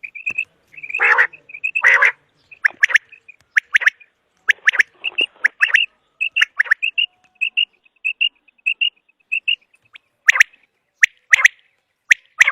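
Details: Common quail heard in a recording for hunting: scratchy bursts and sharp ticks, then a steady series of brief whistled pips about twice a second, with harsher notes returning near the end.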